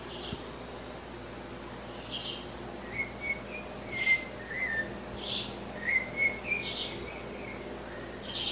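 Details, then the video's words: Blue-bellied parrot (sabiá-cica) giving short, high whistled notes with a slightly harsh edge, repeated in an uneven series about every half second to second over a soft background hiss. "SABIÁ CICA Blue-bellied Parrot"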